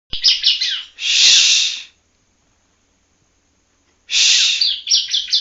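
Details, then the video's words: Young Yellow-bellied Prinia practising its song in Palembang: a run of high chirpy notes, then a harsh buzzy burst about a second long, a two-second silence, and another buzz followed by quick chirps. "anakan ciblek kuning palembang blajar bunyi"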